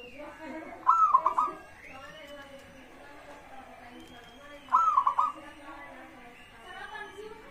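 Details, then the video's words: Local zebra dove singing to encourage other birds to answer: two short rising-then-trilled coo phrases about four seconds apart, over a steady hiss of background noise. "pancingan burung perkutut gacor suara disukai bikin cepat bunyi langsung nyaut"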